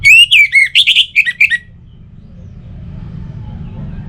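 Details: Orange-headed thrush singing as a morning and evening lure for other birds: a loud tumbling string of rich whistled notes, varied and quick, lasting under two seconds, then only faint background rumble.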